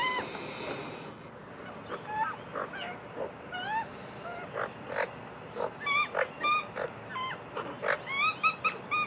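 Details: Family of magpies eating together; many rising, nasal, harmonic calls from several birds, sparse at first and then coming faster and overlapping toward the end, with short clicks between.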